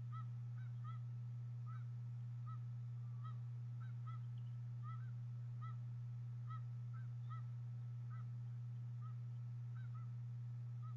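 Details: Bald eagle eaglets at a Harrison Bay nest, recorded by nest cam on 26 April 2014 while their mother feeds them fish: short arched mid-pitched calls with overtones, repeated about every half second, over a constant low electrical hum.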